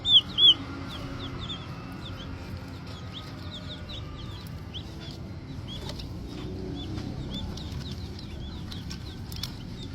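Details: Green junglefowl chicks, still little, opening with two loud thumps, then a steady run of high, short peeps repeated about three times a second, with faint rustling behind.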